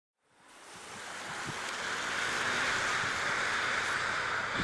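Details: Broad roaring wind or surf noise fades in from silence and holds steady, with no animal calls heard.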